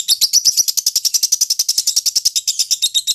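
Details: Lovebird master song for training birds for singing contests: a fast, steady run of high sharp chirps, about three a second, continuing without a break.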